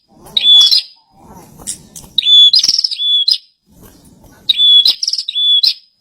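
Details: Bar-winged prinia in energetic song, kept in captivity: high sharp whistled phrases, some doubled into a note and an echoing second note, with buzzy endings. They are separated by short pauses with a soft low rumble.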